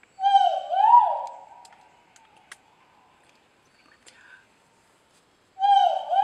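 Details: Great argus giving a loud, clear two-part call: a rising note sliding into a second swelling note, rich in harmonics, then a long fading tail; after a pause of a few seconds a second call begins. Faint clicks between.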